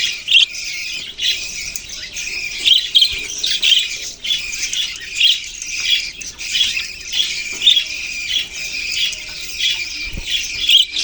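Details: Many budgerigars, recorded November 6, 2023, produce a ceaseless shrill chorus. Rhythmic surges of squeaky chirps and harsher squawks rise and fall every second or so.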